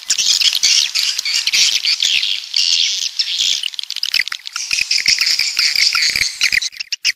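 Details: Coastal swiftlets from the south chatter in waves of high, buzzy chirps and rattling twitters, with a short lull midway before the chorus swells again.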